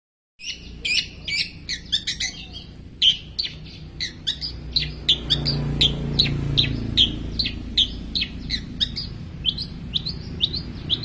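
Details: Long-tailed shrike in full song mimicking ten small bird species: rapid run of short high chirps and trills repeated about 158 times a minute, varied notes, over low steady background hum.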